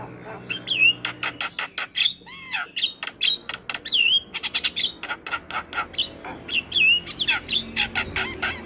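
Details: Black-winged starling master song, used for training caged starlings: a dense, full sequence of sharp clicks, rattles and loud slurred whistles that swoop up and down, delivered in quick, continuous bursts.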